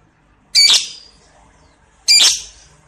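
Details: Caged lovebird heard in a clear lure recording, giving two harsh, noisy squawks about one and a half seconds apart, each sharp at onset and trailing off, over a quiet background.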